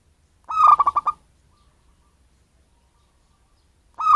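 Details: Lure call of a local wild zebra dove: one brisk phrase of stuttering, hollow coo notes, then a long quiet pause before the next phrase begins.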